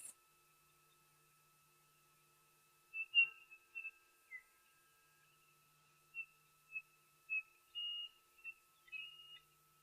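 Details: At a waterhole on 31 October 2023, a Chinspot Batis very close to the camera gives short, high, pure whistled notes in loose irregular runs, probably with more than one calling, over a faint steady electronic tone.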